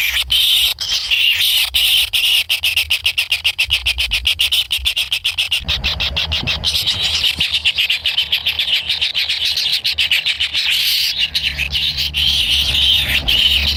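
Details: Hungry kingfisher nestlings waiting for food from a parent: long stretches of harsh buzzing broken into very rapid ticking pulses in the middle, then rising to a steadier wheezy hiss.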